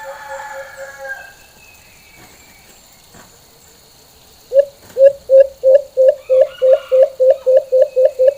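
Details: White-eared brown dove, locally Alimokon, giving its normal full call: after a quiet start with faint other sounds, a steady run of twelve short, low hooted notes begins midway, about three each second, evenly spaced.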